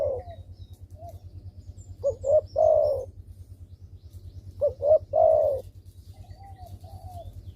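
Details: Spotted dove used as a calling lure for doves that stay silent: two low coo phrases, each two short notes followed by a long wavering note, about two and a half seconds apart, with soft cooing and a low hum.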